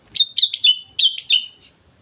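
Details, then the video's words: A sooty-headed bulbul on Mount Slamet sings a lively phrase. Seven ringing whistled notes fall in two quick groups, several dropping in pitch, and a soft final note fades out. "suara burung kutilang gacor gunung slamet"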